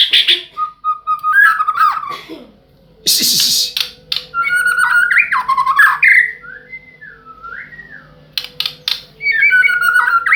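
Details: White-rumped shama singing: a varied run of clear whistled phrases, slurred rising and falling notes around the mid range mixed with sharp buzzy bursts and high chips, broken by short pauses, with a steady low hum underneath.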